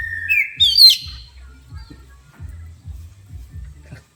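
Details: Oriental magpie-robin, highly agitated after hearing a horn, gives a few sharp, high whistled notes, rising and sweeping up, in the first second, then falls quiet over steady low rhythmic thumping.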